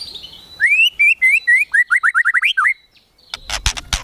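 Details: White-rumped shama kretekan tembakan meant to stir emotion: an accelerating string of about a dozen bright rising whistles, about four per second, followed by a burst of harsh clicking noise.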